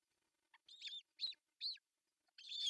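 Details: Osprey at a Finnish nest site in Pohjois Satakunta, June 10, 2024, the male bringing a fish; a few short, high, slurred whistles evenly spaced, then a rising, intensifying squeal at the end.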